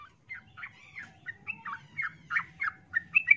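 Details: Yellow-vented bulbul female, in breeding condition, calling to a male with a rambling chatter of short warbled and chirped notes, irregularly spaced and growing louder toward the end.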